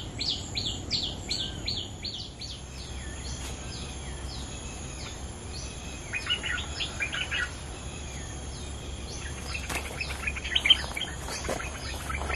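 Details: Territory-owning bulbul song: quick repeated downslurred whistles at the start, then scattered chirps and other bird notes, with a thin high electronic whine throughout.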